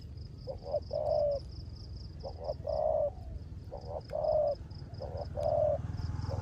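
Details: Decoy spotted dove in the rain giving its rước gù coo: two short stuttered notes, then a longer rounded coo, repeated four times at even intervals amid a faint high pulsing chirr and low rumble.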